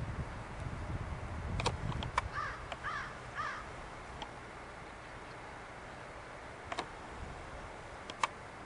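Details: Canada geese recorded 12 October 2012 at Saint-Faustin–Lac-Carré, Quebec, during autumn: three short, nasal honks in quick succession near the middle, over a steady low rumble, with a few sharp clicks later.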